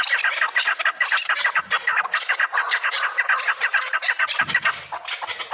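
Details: Kabodiyon chukar partridges giving rapid, harsh chuck notes at a brisk regular rhythm, continuous for the whole stretch, with a brief low thump near the end.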